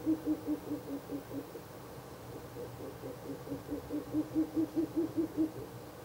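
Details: At a nest box on the night of 16 April 2024, third night of visits, a Ural owl gives two quick bursts of low, evenly spaced hoots, the second burst swelling steadily in volume.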